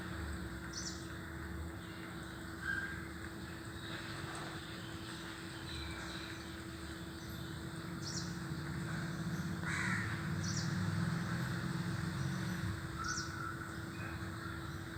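A crow gives harsh, scratchy caws in reply to another crow over a low, steady rumble.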